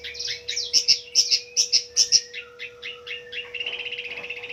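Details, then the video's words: Fighter-type long-tailed shrike in full, varied song, used as a lure to restart silent birds. A run of sharp, evenly spaced high whistles, then lower slurred notes and a dry rapid trill, with a steady background hum. "Burung pendet figther gacor dor full isian ediaaaaan...!!! Pancingan cendet stres macet bunyi"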